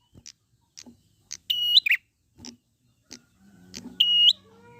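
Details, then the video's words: Wild prinia used as a lure to prompt other prinias to sing: sharp high clicks roughly every half second, interrupted twice by a long, strained, harmonic-rich note that rises at its end, over faint low rumble. "pancingan prenjak gacor alam liar"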